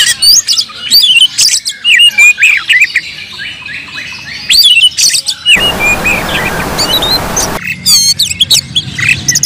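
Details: Fighting oriental magpie-robin pouring out agitated song: quick high whistled phrases and clipped chirps, broken midway by a two-second burst of loud hissing noise, then more piercing notes and a rapid trill.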